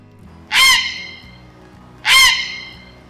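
Grey Heron giving two harsh, rasping croaks about a second and a half apart, each short and grating, over a faint low hum.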